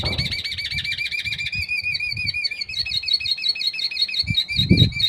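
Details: Canary hybrid (mixto) being prepared for song contests, delivering a long continuous warbling trill of rapidly wavering whistled notes with a faster tremolo partway through, over low thumps and background rumble.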